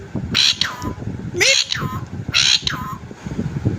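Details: Naughty pet green parrot, said to talk, lets out harsh broadband squawks about once a second, each sliding downward, with human voices and music in the background.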